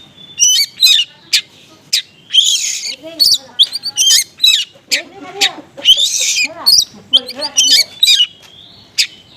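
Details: Konslet-style oriental magpie-robin song packed with small-bird material, meant to provoke response from other magpie-robins: a dense, rapid run of high chirps, buzzy trills and harsh scratchy phrases, with hardly any pause.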